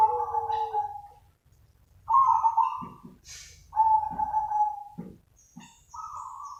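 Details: Zebra dove call for luring other doves: several loud drawn-out coos about a second and a half apart, with short knocking thuds and a brief rustle between them.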